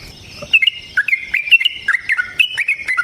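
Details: Rapid bubbly phrases from a wild yellow-vented bulbul, energetic long song style called ropel panjang; short slurred whistled notes follow one another quickly, some dipping lower, with faint background hiss.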